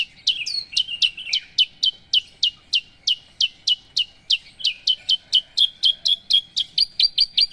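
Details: A steady series of sharp, downslurred high chirps, about four each second, from a Javan bush lark of the 'paksi aji' line, closing with slightly higher clipped notes.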